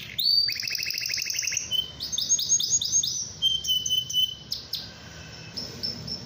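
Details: Domestic canary in vigorous song to bait rival canaries into singing: a fast buzzy trill opening into clear repeated whistles, a held pure note, then short chips, with faint background hum.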